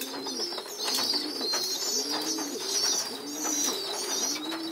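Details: Pigeon youngsters moved onto the loft floor for group feeding, begging with a steady high wheezy squealing, while low arched coos from adults repeat about every second beneath it.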